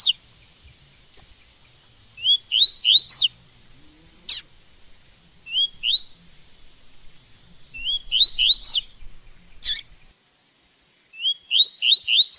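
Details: Double-collared seedeater in training to sing, caged, repeating short phrases of three or four rising whistled notes every few seconds, separated by sharp high single chips.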